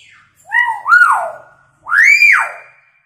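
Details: Chattering hill myna copying sirens and a woman's scream, a lure for silent birds: two loud, clear wailing sweeps, the first climbing in steps and sliding down, the second arching up into a high shriek and dropping away.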